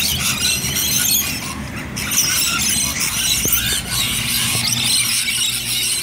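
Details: Rainbow lorikeets gathered in a noisy flock at Bonnyrigg, a continuous dense wash of shrill, high-pitched screeches and chattering squeals with no pauses, faint low rumble of traffic underneath.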